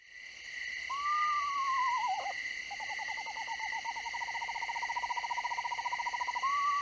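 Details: Eastern Screech-Owl, a small owl of central Texas, gives a falling, horse-like whinny, then a long, even, mellow trill on one pitch. A steady high electronic hum runs throughout.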